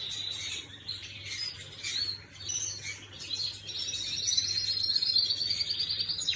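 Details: Canary singing on 11/5/25: scattered chirps that build into a long, sustained high trill. Faint low hum in the background.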